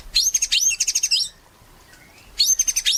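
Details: Actively singing white-rumped shama, a lure recording to prompt other shamas to sing: bursts of high, rapid, warbling whistled notes, a pause with a faint lower rising whistle, then the phrase resumes.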